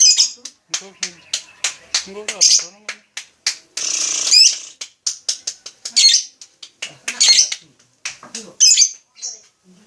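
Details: High squeaky lovebird chatter in short rapid bursts, broken by a brief hissy rasping patch and some faint lower voice-like sounds.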